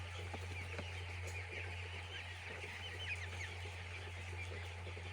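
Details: Flock of chicks in a poultry farm, peeping busily; quick rising and falling high chirps overlap throughout, over a steady low hum of machinery.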